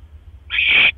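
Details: Single rasping hiss-screech from a barn owl nest, recorded 1:09 AM, 12 October 2015, during a male's mouse delivery; the noisy burst rises in loudness for about half a second over a steady low hum.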